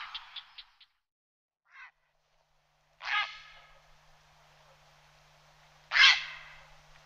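Grey heron giving two harsh, rasping croaks about three seconds apart, preceded by a few soft clicks, with a faint low hum underneath.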